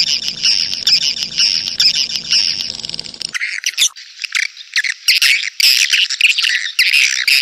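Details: Clear swiftlet call for luring swiftlets into a crowded bird house: continuous high, raspy twittering, then sharper, squeaky chirping bursts in irregular clusters.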